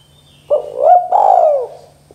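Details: One 'KUK 2' spotted dove phrase for prompting young birds to call: brief low opening coo, a rising then dipping note, a long mellow descending coo, and a faint high thin whistle early on.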